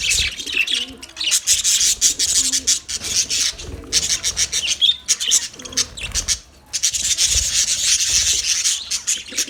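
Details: Budgerigars in a colony, continuous hissing, scratchy chatter with faint lower warbling notes, pausing briefly near five and six and a half seconds.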